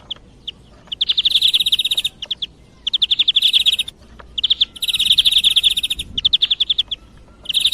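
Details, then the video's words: European greenfinch song as a lure for hunting. Dense, high, rattling trills of about a second each, roughly four per second of pattern, with short isolated notes between them. "صوت طائر الخضري للصيد"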